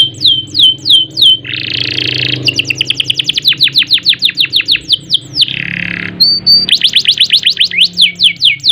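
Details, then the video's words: Canary singing in an energetic 'gacor' style with rolls, bursts and harsh 'ngerek' notes: repeated downslurred whistles broken by two broad buzzy rasping notes, then fast trills and sweeping whistles. "Kenari Gacor Panjang Ngerek Ngerol Nembak Mantap Buat Masteran dan Pancingan | Bird Singing"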